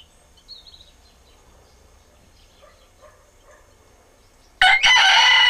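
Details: In the morning, after several seconds of near quiet with faint distant chirps, a rooster bursts into a loud, harsh, strained crow that is cut off within a second.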